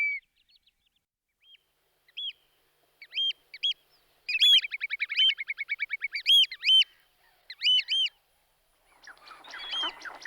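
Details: Whimbrel migrating and roosting in West Lancashire, UK; scattered single whistles build into a fast whistled titter, answered by more arched notes, ending in rustling noise.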